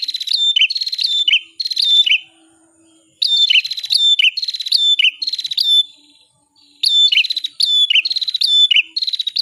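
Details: Training recording of a bar-winged prinia, locally cimblek kepala merah: loud, rapid buzzy phrases, each with a falling-then-rising whistled slur, in three bursts separated by brief silences.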